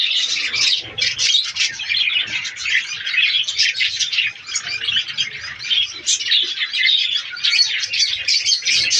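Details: Aviary colony of breeding budgerigars producing nonstop high-pitched chatter, a mix of quick tweets, raspy notes and warbling from numerous birds layered over each other.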